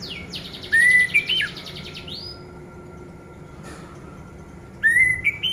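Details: Song of an orange-headed thrush, played to prompt silent birds to sing: a loud phrase of steady whistled notes ending in a sharp upturn, a quiet gap with faint hum, then the phrase starts again.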